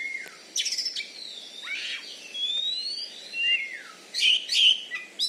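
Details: Kept Oriental magpie-robin, a champion kacer from Bengkulu, Indonesia, known for loud singing and a membalon fighting style, delivers varied high whistles, slurred rising and falling notes and scratchy trills.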